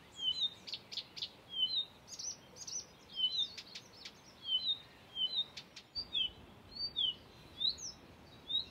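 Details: Blyth's reed warbler singing at Far Ings Nature Reserve, UK, on 11 June 2020, mimicking other species. It gives varied high whistled notes and sharp clicks in short bursts roughly every few seconds, each phrase repeated, over a steady background hiss.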